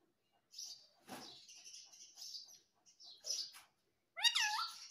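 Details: Pet talking parrot, said to say "mummy" and "papa", gives soft high chirps and short bursts, then a loud, curving, harmonic call near the end; quiet indoor background.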